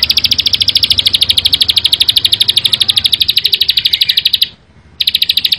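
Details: A Bar-winged prinia sings a fast 'bren rapat' burst of high, clipped, buzzy notes in an unbroken rattle-like string. After a short pause the same rapid series starts again.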